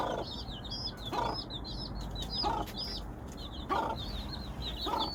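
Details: Hen calling her chicks: deep, single clucks spaced more than a second apart, between them a steady run of thin, high chick peeps rising and falling.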